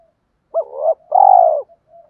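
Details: Spotted dove lure call used to stir males: a brief rising note sliding into a coo, a long even buzzy coo, then faint soft trailing coos.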